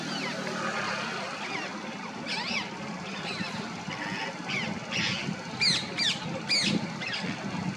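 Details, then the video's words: Female rose-ringed parakeet chirping outdoors: repeated shrill, arched squawks of varying strength, louder toward the end, over constant broadband background noise. "Female Parrot Chirping Sounds, Natural Parrot Sounds, Parrot Calling"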